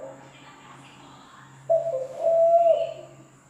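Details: After a quiet pause, one zebra dove coo sounds: a short low note leading into a long, level, mellow tone that dips before stopping.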